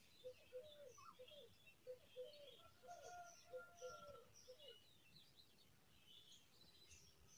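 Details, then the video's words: Brown rock chat among rocks, extremely excited for food, giving short, low, clipped notes about three per second in an uneven run, with fainter high chirps from other birds behind. "Brown rock chat bird extremely excited for food"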